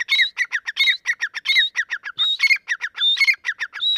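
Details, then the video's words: Young grey francolin (Dakkni teetar) calling: a fast, dense run of harsh, squawking notes, several per second, with clipped rising and falling strokes and a few longer squealing notes mixed in. No other sounds are heard. "نوجوان دکنی تیترکی آواز/Dakkni Teetar ki Awaz"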